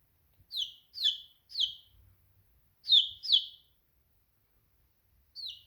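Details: Young chicken chirping: three rapid shrill downslurred peeps, a short pause, two more, then a single peep after a longer gap; the background is nearly silent apart from faint low bumps.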